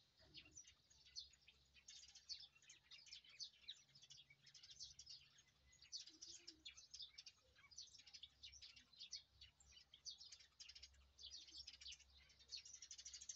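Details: Many birds chirping over a rice field in the morning: a dense, continuous chorus of short, high twittering notes overlapping throughout, with a low steady hum beneath.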